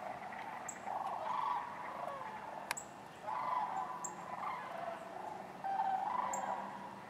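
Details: Sandhill cranes calling at Wheeler Wildlife Refuge in Decatur on January 12, 2013, alongside other waterfowl: a far-off chorus of rolling, trilled bugling swells in waves, with a brief sharp click and thin bird notes.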